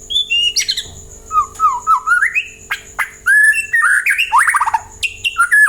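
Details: White-rumped shama song meant to make other birds answer and sing: varied rich whistles, rising and falling phrases with harsh squawky notes and quick trills, delivered in bursts.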